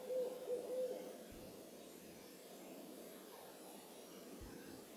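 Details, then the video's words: An owl calling at moonrise near Carpenter Mountain lookout, H.J. Andrews Forest, Oregon, USA, opens with three quick, even toots at one pitch, followed by several seconds of quiet hiss. "Owl Calling at Moonrise"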